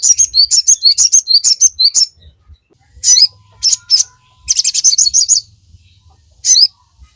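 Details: Crimson Sunbird, locally sogon, singing to stimulate caged birds: rapid runs of high, sharp staccato notes, short pauses, another fast chattering run and a final loud chirp.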